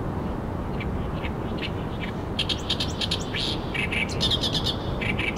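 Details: Oriental reed warbler by the Arakawa River, Tokyo, in full song at the waterside. Rapid grating, chattering phrases grow denser after the first seconds, set against constant low-pitched background rumble.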